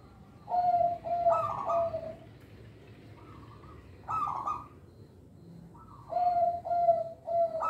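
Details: Local zebra dove singing as a lure for training young birds: low, soft coos led into bright rolling notes, a fainter higher tone, another bright burst, then a closing series of three hollow coos.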